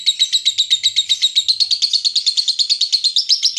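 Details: ["Clean lovebird ngekek, the long 'konslet' song used as a lure for other lovebirds: dense, fast, high chattering pulses in an even stream, rising slightly at the close, with almost no background."]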